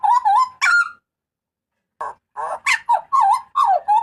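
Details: Strong, harsh cries of a Papuan butcherbird: wavering whistled notes and a sharp squeal, a second of silence, then rough honking notes followed by twisting slurred yelps.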